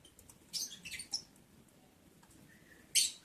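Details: Breeding lovebirds, on day 11 of breeding on 11 July 2022, give short, shrill, scratchy mating chirps in a quick cluster near the start and one sharp burst at the end, over quiet room hiss.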